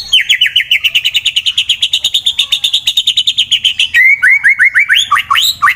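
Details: Fighter white-rumped shama, Wonosobo, Central Java, Indonesia, singing to stir rivals: a fast rattling trill of about thirty-five evenly repeated high notes for four seconds, then a quicker run of descending whistled notes.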